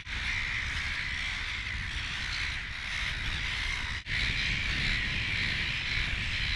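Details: Silver gull colony on offshore Mud Islands, where adults nest in shrubs: many gulls squawk together in a continuous raucous din. A short break interrupts it, and steady low wind or engine rumble lies beneath.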